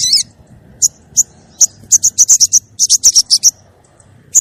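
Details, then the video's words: Female crested jay calling for the male, a high chattering series of short sharp notes, loose at first, then quickening into a rapid run of about a dozen clipped chips before stopping, with one last note after a pause. "suara burung sogon betina manggil jantan"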